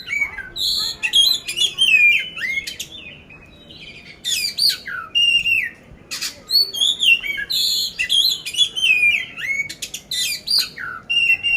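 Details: Caged oriental magpie-robin, poci type, in Magelang, Indonesia, singing nonstop in coarse-filled competition style: repeated loud bursts of clear whistles, buzzy chirps and slurred downward notes, broken by one short lull.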